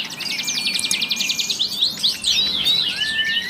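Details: Actively singing canary delivering a long rolled song (ngerol panjang): a dense, fast high trill of buzzy repeated notes shifting into varied sweeping whistles and chirps near the end.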